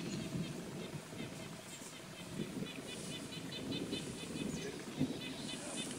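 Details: By a beaver-dammed creek as a thunderstorm approaches, a nuthatch gives quick runs of short, even, piping notes over a steady low rumble of wind and flowing water.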